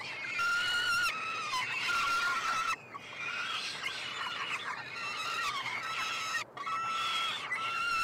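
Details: Feeding-time begging from peregrine falcon triplets in a nestbox at the University of Montreal, Quebec, Canada, 21 June 2022; harsh drawn-out squeals and wavering wails, several birds overlapping, with short pauses.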